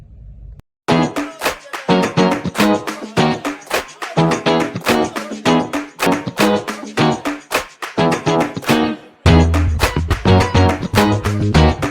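Strummed acoustic guitar music plays throughout, with no animal sound heard.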